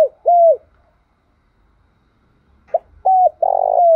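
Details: Morning decoy call of a spotted dove to provoke males. A falling coo ends an earlier phrase, followed by about two seconds of quiet. A new phrase then starts with a brief note, a flat coo and a long rolling coo, and it is cut off.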